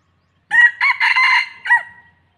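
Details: Red junglefowl decoy male used for trapping in Thailand, crowing once: a sharp opening note, a long strained middle section and a brief falling tail note, recorded close with little background.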